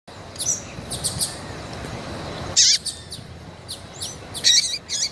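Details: Female variable seedeater in heat, calling: sparse high chirps and short bright notes scattered over five seconds, with a faint hiss behind.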